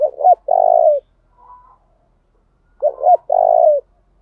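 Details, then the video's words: Decoy spotted dove calling to goad other doves to sing and come in. Two phrases, each a quick double note leading into a drawn-out mellow coo, separated by a pause with one faint distant coo. "Tiếng chim cu gáy mồi thúc đấu giọng hay, tiếng chim cu gáy thúc bổi nhanh về cội, chim cu gáy đất"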